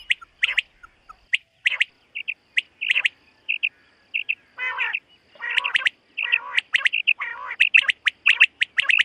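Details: Common quail calling in a summer meadow at morning, with scattered clipped notes building into fast triplet phrases, mixed with rough nasal notes in the second half.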